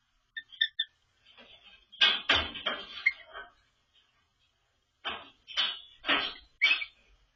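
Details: A pet cockatiel practising its quirky song gives three quick, clear whistled notes, then bursts of harsh, scratchy chatter in two runs.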